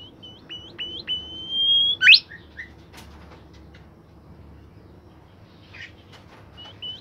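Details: Bimoli bird kept in a cage, in full song: short high whistles lead into a sustained level whistle ending in a steep sweep, then mostly quiet with a few faint chirps and a final brief whistle.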